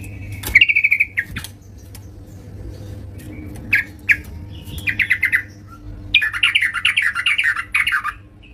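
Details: Yellow-vented bulbul singing at home: scattered sharp chirps and short trills at first, then choppy chattering phrases that build into a longer, fuller warbling run near the end, over a low background rumble and hum.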